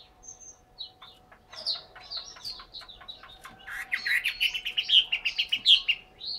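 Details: Chinese hwamei in a cage in Hanoi, Vietnam: a few thin whistles, then quick clipped notes that speed up into a loud, fast string of bright, ringing whistled syllables, with a low steady hum behind.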